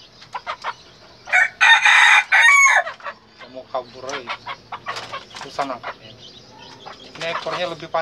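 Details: A rooster red junglefowl gives a single loud, broken crow of about one and a half seconds amid constant quick clucking and chattering from nearby fowl.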